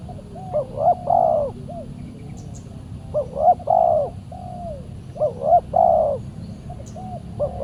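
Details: Spotted dove, a fierce wild bird answering a decoy while being trapped: phrases of soft rising coos with a stressed middle note, repeated about every two and a half seconds, with faint distant chirps.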